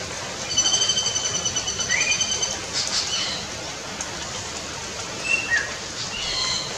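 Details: Two greater racket-tailed drongos in Pakke Tiger Reserve: a quick metallic rattle of repeated high notes, then a few scattered rising whistles, over a steady background hiss.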